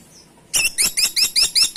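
A woodpecker gives a quick run of about seven harsh, high squeaky notes, roughly six per second, against a quiet background.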